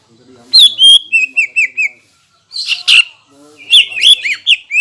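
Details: Greater green leafbird singing to rouse competing leafbirds; bright whistled slurs in a short run, a pause, a rasping buzzy burst, then more loud looping whistles.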